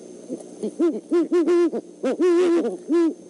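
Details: Great horned owl pair, male and female, at an eagle nest in Decorah during an overnight visit on 17 December 2014, inspecting the nest; a rapid run of deep, mellow, overlapping hoots, some held longer, in an uneven series.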